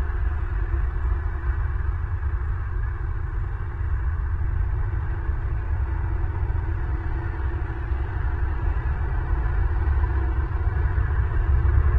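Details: Steady low rumbling hum with no animal calls, from a nest camera in Southwest Florida.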